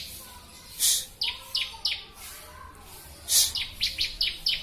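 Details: A few sharp, falling chirps from a Bar-winged prinia (ciblek) recorded as training master material, broken by two harsh hissy bursts and brief pauses.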